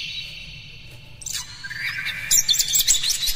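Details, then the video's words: Oriental magpie-robin song meant to provoke other magpie-robins into singing: a faint hiss at first, then loud high whistles and quick chirps building from about halfway, with dense sharp notes near the end. "Suara PANCINGAN KACER paling gacor"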